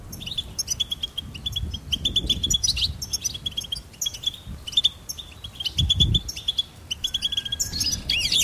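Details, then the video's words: Goldfinch song in short bursts of high tinkling chirps that repeat a clear note again and again, with a faint long whistle and low thumps beneath. "Charming Goldfinch Peep Fun for bird stimulation birds chirping"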